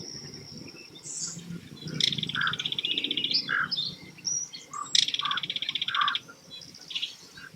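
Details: Belted Kingfisher chattering again along a shoreline on a kayak trip: two loud, rapid rattling bursts around two and five seconds, dry and mechanical, with short lower notes between them and a steady high insect-like hiss in the background.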